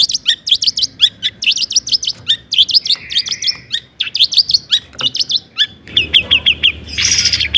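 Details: Long-tailed shrike song used as a lure for other shrikes: dense rapid chips and mimicked phrases, a brief buzzy note midway, ending with a noisy harsh burst.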